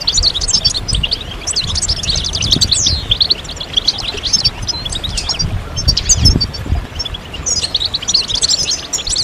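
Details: Several European goldfinches chirping together, mating and readiness calls meant to stimulate males to sing: dense, rapid, high twittering with bright trills and short buzzy notes throughout, over low thumping background rumble.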